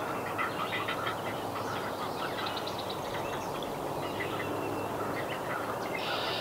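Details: Great Blue Heron young at their nest in north-central Massachusetts begging from parents that take turns bringing fish; a soft, rapid clicking chatter that rises into a louder burst near the end.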